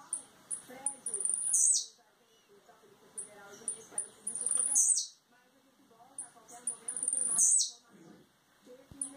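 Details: Blue-black grassquit from Campos dos Goytacazes, Rio de Janeiro, just coming out of moult, sings a high, buzzy, explosive 'tee-zew' about every three seconds, each led by a few thin chips, over a faint low background murmur.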